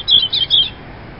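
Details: Robin song phrase: a loud, quick run of high, thin twittering notes lasting under a second, followed by quiet.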